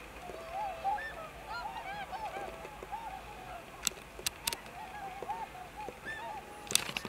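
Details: Tundra swans of the American race in Akita Prefecture, Japan, 20 November 2020: several birds giving overlapping soft, arched honking calls, rising then falling, repeated in loose succession, with a few sharp clicks in the background.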